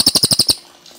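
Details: Cililin song, clean original recording: the close of a trill, six quick shrill chips at an even beat, then silence with faint distant background.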